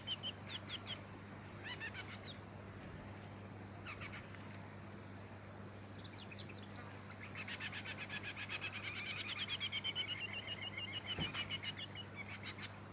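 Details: Black-backed subspecies of Splendid fairywren, Malurus splendens melanotus, recorded in Victoria, Australia, December 2017: bursts of very high, rapid reeling trills, then a longer, louder sustained reel of fast repeated notes over steady low hum.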